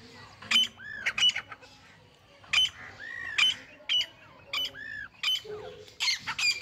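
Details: Hand-tame grey francolins give loud, harsh, metallic call notes in quick bursts, with short grating phrases repeated roughly every second amid faint background noise.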